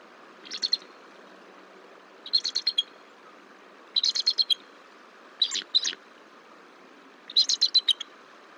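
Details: Bald eagles at their Decorah nest on 17 March 2023 during a shift change, female returning to startle the incubating male before rolling the eggs: five bursts of high, thin chittering notes roughly every one and a half seconds.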